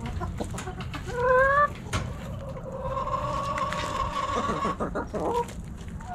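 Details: Backyard hens and roosters snacking at Thanksgiving: a short rising squawk, then a long level call held nearly two seconds, ending in wavering clucks, over low rumbling noise.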